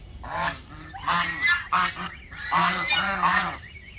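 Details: Backyard geese calling in a rapid series of loud, brassy honks, about five bursts in four seconds, each rising then falling, close and clear.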